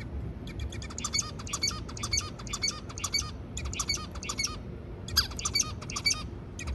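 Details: Zebra finch singing amid a steady low rumble; rapid bursts of short, nasal buzzy notes in phrases of about a second, pausing briefly between phrases, repeated throughout.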